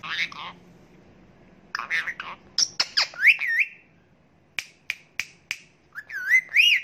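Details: Pet Indian ringneck parakeet, a talking parrot said to say 'Asalamalakum', giving two short speech-like bursts, then rising, wavering whistled notes and a few sharp clicks, ending in looping whistled phrases.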